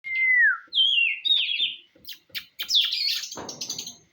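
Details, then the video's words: Oriental magpie-robin song used to provoke another bird for fighting contests: clear, downslurred whistles followed by rising and wavering notes, then dense scratchy high chatter ending in a noisy burst. "KACER SIAP ADU..PANCINGAN BUAT KACER NGOTOT"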